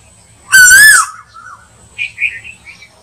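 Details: Asian koel used as hunting bait: a single loud rising-and-falling note, followed by softer brief chirping notes higher in pitch.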